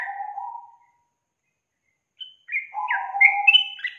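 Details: Yellow-vented bulbul lure song meant to get a quiet young bird singing: a low warbled phrase fades out, and after a long silence a lively burst of bubbly, downslurred whistles returns over a deeper warbling line.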